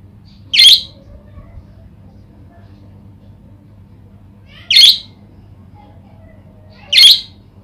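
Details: Budgerigar (Melopsittacus undulatus), call: stimulating other budgerigars to sing.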